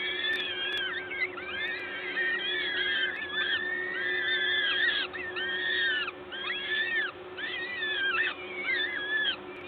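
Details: At a peregrine falcon nest at LOTOS in Gdańsk, Poland, 14 May 2022, 11:07, during a feeding: rapid run of short arched, squealing calls, roughly one per second, several voices overlapping above a low steady hum.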